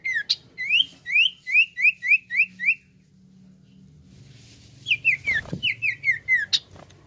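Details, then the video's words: Common iora giving two runs of quick, bright chirps that each slide downward, about four per second, separated by a pause, over a low steady hum and a brief knock. "SUARA CIPOW NYIUL MBOH"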